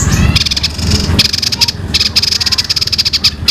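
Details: Young songbird whose long rolling song is likened to a fighting sparrow: fast, even, high-pitched pulsed trills in runs, with a low rumbling noise at the start.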